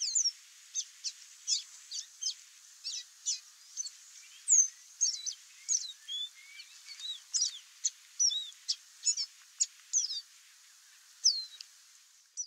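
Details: Free-living chestnut seedeater in song out in nature: a long rapid string of high chips, trills and slurred whistled notes, nearly continuous for ten seconds before a brief pause and a final falling whistle.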